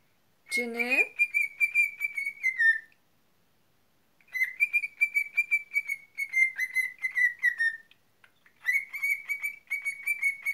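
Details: Pet cockatiel giving three bouts of warbled, pulsed whistling on a level tone, each about three seconds long with short pauses between, preceded by a brief speech-like squawk at the start.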